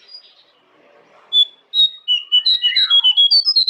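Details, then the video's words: Jongkangan master song for caged birds: after faint background, loud, clear whistled notes begin, then turn into a rapid, evenly repeated series of high chirps with one downward-slurred phrase mixed in. "Masteran Jongkangan"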